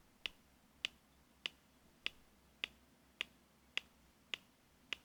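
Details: Red-crested Korhaan in Kruger National Park, South Africa (Pafuri to Tsendze area), giving a steady series of sharp, dry clicks, about nine in five seconds, evenly spaced against a quiet background.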